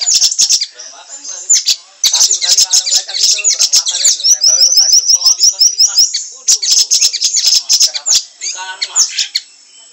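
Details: Bird known locally as siri-siri, recorded as training audio for songbirds; dense, busy high-pitched chirping and twittering with short sharp notes, a quick descending trill in mid-clip, then more rapid chirps.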